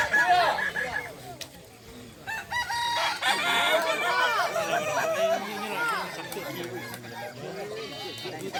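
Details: Kukuak balenggek roosters at a crowing contest at Sirukam dairy farm, Solok regency; many long, wavering crows overlap densely, with loud bursts early and throughout, and faint human voices in the background.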